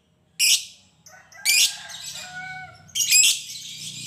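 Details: Lovebird, recorded to stimulate other lovebirds to sing, giving three harsh, loud, high squawks about a second and a half apart, with softer tonal whistles between them.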